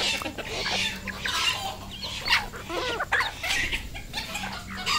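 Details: Red junglefowl kept as a decoy bird, giving a steady run of harsh, harmonic clucking calls that overlap one another, with a constant low mechanical hum underneath.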